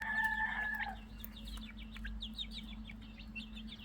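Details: Chicks chirping: a brief tonal sound at the start gives way to many high, quick peeps from several chicks, with a steady electrical hum underneath.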